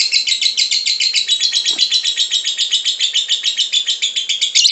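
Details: A lovebird sings ngekek, a lure to get others singing: an intense, unbroken run of fast, buzzy, high-pitched chattering notes at a steady pace.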